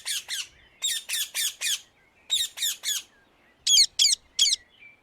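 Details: Rose-ringed parakeet living free in the Netherlands repeats strident, raspy squawks in short groups of two to four, evenly spaced, loud and piercing against quiet surroundings.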